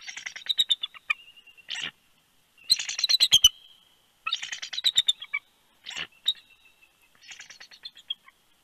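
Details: Bald eagles at their Big Bear, California nest during incubation, the pair exchanging vocals as the female lands: bursts of fast, high, stuttering chitters alternating with short sharp yelps, close to the nest camera.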